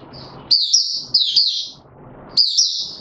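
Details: Caged male white-eye being pushed on form, opening song recorded 31 December 2021: high, thin twittering phrases in quick bursts, a long gap between the first and last bursts, and faint low room noise.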